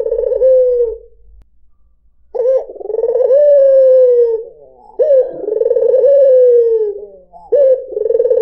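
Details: Calling to lure other birds, a white dove (puter putih) gives drawn-out, purring coos that swell and slowly fall, separated by short pauses, with a faint low rumble beneath.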